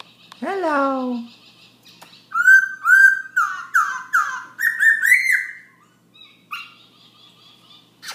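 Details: Black-throated laughingthrush singing nonstop at 11 pm: a loud downward-sliding harmonic note, then a run of six bright, slurred whistles in quick succession, ending with a few softer thin notes.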